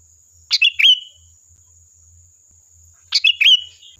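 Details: Two sooty-headed bulbul phrases used as a lure, each a crisp trio of chirps sliding into a clear whistled note, about two and a half seconds apart, against near silence.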